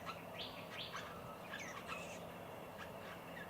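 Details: Several White-browed Babblers, a co-operative group, at a country garden bird bath in Victoria, Australia, on 1 November 2021; short sharp chirps and squeaky notes in loose bursts over steady low background hum.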